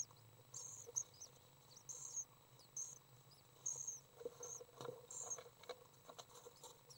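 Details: Young swifts during a feeding session on May 30th 2012, emitting brief very high chirping bursts about every second, with scattered knocks and rustling taps and a soft low hum.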